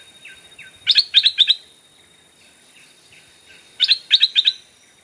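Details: Captive decoy stripe-throated bulbul calling to lure wild bulbuls: two bursts of four or five bright, bubbly chirps, each about half a second long, with softer high notes between.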